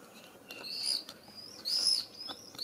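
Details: Common swift exploring a nestbox at a house, giving shrill, high, drawn-out screams in two main bursts with softer ones between, mixed with sharp clicks and scratching taps from inside the box.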